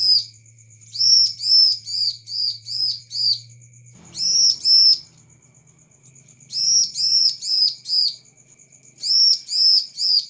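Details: Bar-winged prinia song played as a lure to provoke replies: rapid runs of bright arched chirps in four bursts with short pauses, a faint continuous high ticking and low rumbling underneath.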